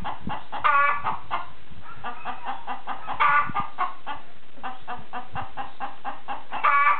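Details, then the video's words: A chicken gives repeated short clucks, bunched in quick runs, broken by three louder, strained squawks spread through the recording. "Chicken Making Noise"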